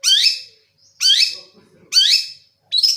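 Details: Javanese long-tailed shrike in lively, full song with clear inserted phrases: loud, harsh, buzzy notes that sweep downward, delivered about once a second in a quiet setting.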